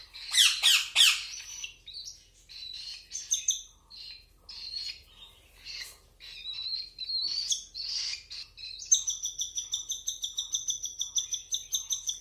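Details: Cockatiel chicks at hand feeding: loud harsh squawks at first, then varied wheezy begging notes, ending in a fast, even series of short pulsing chirps, roughly three per second.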